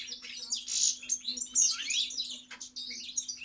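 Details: Fast, tinkling goldfinch song of rapid chirps and twittered phrases, notes tumbling quickly with a buzzy edge, faint constant hum in the background.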